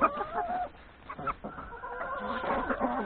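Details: Chickens, hens and three roosters breakfasting in a yard before forest grazing; short clip of mixed clucks and a held, even-pitched call over a low murmur.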